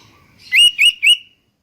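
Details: Sooty-headed bulbul song used as a lure for other bulbuls: a crisp phrase of three clear, liquid, slightly rising whistles in quick succession, followed by silence.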